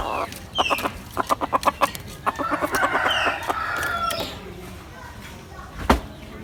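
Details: Hen calling: a rapid series of short, evenly spaced clucks leads into a longer, wavering harmonic call, with a sharp knock near the end.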